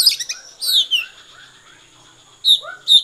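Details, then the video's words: Short stretch of konslet song from an Oriental magpie-robin: a quick high chattering burst, a falling whistled slur, a quiet gap, then two sharp bright notes. "kacer konslet"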